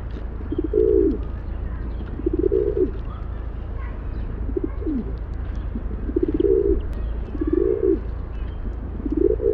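Rock pigeon giving low, throaty rolling coos, repeated roughly every one to two seconds, over a steady low background rumble.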